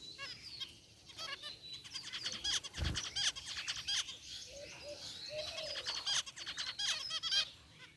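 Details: A group of zebra finches, including a rare white one among white and gray birds, chirping in a cage aviary: dense overlapping high nasal chirps and short buzzy notes, with one low thump near the middle.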